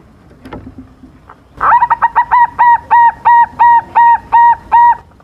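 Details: Young silver zebra dove singing actively, used as a lure to make rival birds answer: after soft background noises, a loud run of about eleven evenly spaced mellow cooing notes, roughly three per second.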